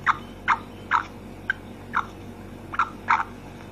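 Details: Female black francolin calling: a string of short, harsh, clucking notes, about nine in under four seconds, unevenly spaced with a brief gap midway, over quiet low background hum.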